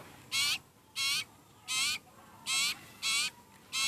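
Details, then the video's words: Very hungry sirpu (sirtu) bird begging: six loud, raspy buzzing calls spaced roughly two-thirds of a second apart. "Burung sirpu/sirtu lagi lapar berat"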